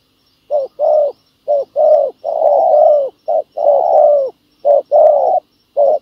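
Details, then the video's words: Spotted doves cooing at a ground decoy trap for wild doves. Short clipped coos alternate with long, sustained, slightly falling hoots, some nearly a second long, in a busy, overlapping sequence. "bẩy cu gáy mồi đất hay..gặp bổi đồng gù khá tốt"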